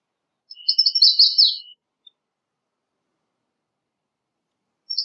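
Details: American redstart singing a short high phrase of quick stuttered notes over a faint steady lower tone, about a second long, then silence and the start of another phrase at the end.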